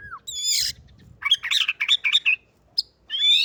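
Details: White-rumped shama of the bordan type in fighter style, with canary phrases worked into its song: a rich, varied burst of clear whistles, slurred notes and quick chattering phrases, separated by brief pauses.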